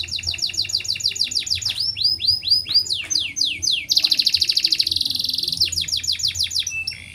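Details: A canary in full breeding condition (birahi) sings a long rolling song of rapid high whistled trills and rolls, switching between fast repeated notes, swooping slurs and buzzy rattles without pause.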